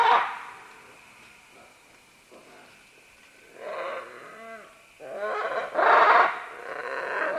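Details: Several green-winged macaws calling as they climb down along vines: harsh, raspy, broadband squawks, one loud burst at the start, a wavering, bending call midway, then a long, loud grating screech near the end.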